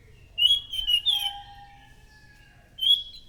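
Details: [1, 'likely', 'song', 'Chestnut-capped thrush singing loudly and persistently, its song used as a lure for thrushes: bright whistled notes sliding around a high pitch, a lower drawn-out whistle beneath, then a brief pause and a final whistled note.']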